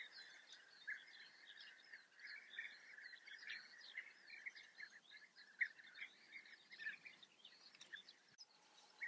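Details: European bee-eaters in the Eifel, Germany, giving a near-continuous chorus of short, rolling, purring calls that overlap throughout, with fainter higher twittering above.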